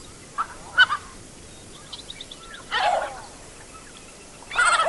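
Canvasback giving harsh, rasping, grating calls in three spaced bursts, the middle one lower and gruffer, with faint thin chatter between them.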